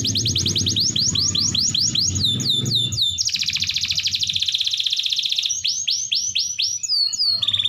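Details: Prolific domestic canary singing, used as a prompt to get reluctant canaries to sing: fast trills of repeated descending whistled notes, a buzzy rolling section, then more downslurred whistles; faint low background hum.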